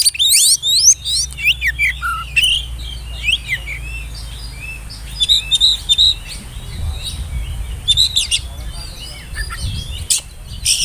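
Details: Oriental magpie-robin, described as speckled young birds, whistling as a lure to provoke rivals and prompt young birds to sing; varied high whistles, slurred notes and chirps in bursts, with low background rumble.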